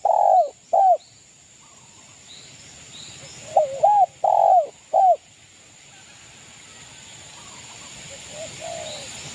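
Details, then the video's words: Spotted dove from East Java, a local bird used as a lure song to provoke rivals. Two bursts of deep, hoarse coos, each a quick run of three or four hooting notes, separated by quiet pauses with faint high chirps. "SUARA burung derkuku gacor MENEKAN lawan EMOSI"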